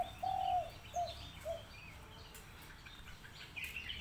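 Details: Spotted dove cooing: one longer low hooting note, then two short clipped coos, fading into a quiet outdoor background with faint distant bird chirps.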